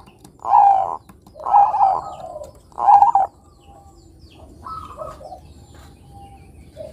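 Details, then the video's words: Bangkok zebra dove in active song, played to lure young doves: three loud, rounded cooing phrases in quick succession, then fainter, softer notes trailing off. "Pancingan Suara Perkutut Bangkok Kutut Bangkok Gacor Manggung Bagus Buat Mancing Kutut Remaja Bunyi"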